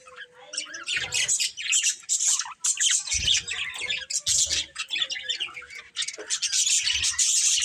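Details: Colourful budgerigars chirping and warbling continuously, a thick mix of high squeaks, trills and scratchy notes from more than one bird, with faint soft thumps.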